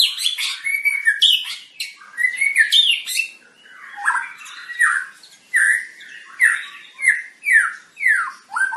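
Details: White-rumped shama, long-tailed Medan variety, in a breeding pairing: dense chattering and buzzy phrases at first, then a steady series of loud, downslurred whistles repeated roughly twice a second.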